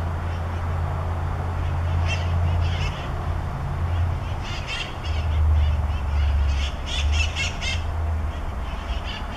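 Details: Visiting wild conures in Pasadena, Southern California: scattered harsh, grating squawks that cluster into a quick noisy series toward the end, partly masked by strong low rumbling background noise.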